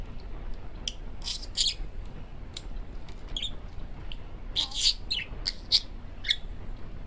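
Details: A male parakeet kept at home chatters in a talking stream. Scattered high, squeaky syllables come first, then a tight cluster of buzzy, clipped notes in the second half, over quiet room noise.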